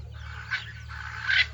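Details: Swainson's spurfowl giving its high-pitched, repetitive, distinctive call: two harsh, high, grating notes about a second apart, over a steady low hum.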